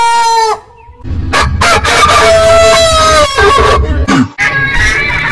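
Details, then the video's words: Rooster crowing from a heritage-breed compilation: a crow ending, then overlapping drawn-out crows over a background of low rumble and clucking. "Rooster Sound Alarm Suara Ayam Berkokok Panjang Gallos Cantando Chicken Song Rooster Crowing"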